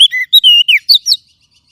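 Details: White-rumped shama song used as a stimulus recording for kept birds: a loud, fast phrase of clear whistled notes, some flat and some sweeping down, followed by two short rising-falling chirps, then quiet.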